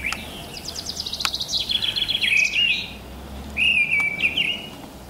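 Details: Mistle thrush singing on a March or April morning: loud fluting, warbling phrases in short bursts separated by pauses, with a rapid series of notes at the start and a second clear phrase after a short gap.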